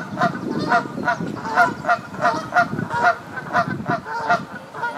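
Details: Canada geese at their nest during egg laying on the South Pond in Midhurst, West Sussex, England, giving a steady series of nasal honks about twice a second, with a low background rumble.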